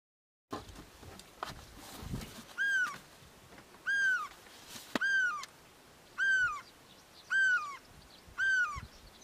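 A great spotted cuckoo gives six hoarse, arched, mewing notes, one about every second, over faint background hiss and a few soft knocks.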